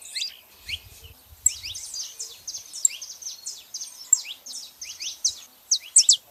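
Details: Female and male saffron finches producing a steady stream of moderately loud high chirps and downslurred notes, with a few sharper accents near the end.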